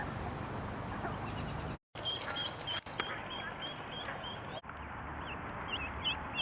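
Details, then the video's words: Mallard duckling swimming in a pond, scared and calling for its mother: thin, high peeping whistles repeated in a loose series, some rising and falling, over a steady wash of broad background noise with a few abrupt cuts. "Baby Duck Quacking & Crying"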